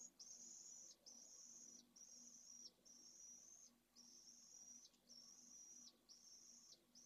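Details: Pallid swift chick at a school colony nest in Jerez de la Frontera, about to fledge, begging while its mother feeds it: shrill, buzzy, hissing bursts, each under a second, repeated about once a second over a faint low hum.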